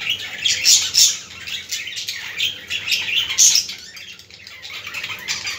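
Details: Busy budgie chatter played to encourage other budgerigars: rapid twittering and squeaky chirps run together without pause, swelling in loud peaks about every second or two.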